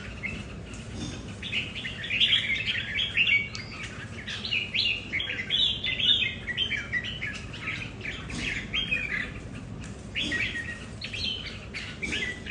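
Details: Home-kept red-whiskered bulbuls sparring over territory, several birds with different temperaments: dense bursts of lively chirping, warbled phrases overlapping and loudest in the first half, then scattered notes.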